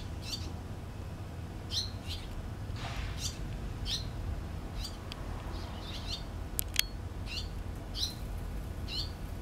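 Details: Parent barn swallows working at the nest, 6 June 2013; a long series of brief high chirps spaced every second or so, one soft rustle and a sharp click, low steady background noise.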